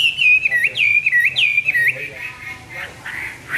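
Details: Hwamei song at dawn: three loud, swooping whistled phrases that dip and rise, then the singing fades into softer, blurred notes.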